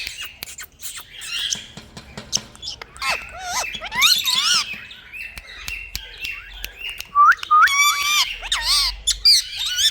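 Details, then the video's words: Indian ringneck parakeet kept as a pet, chattering in a room with a run of clicks and rasping notes, then looping warbled squawks and sharp rising whistles toward the end. "Parrots Beauty Funny Sound"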